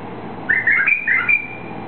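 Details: White-eared bulbul, a bird native to eastern Saudi Arabia, recorded around its release: a short burst of clear whistled phrases, two warbling notes joined by a sustained level whistle, over faint background hum.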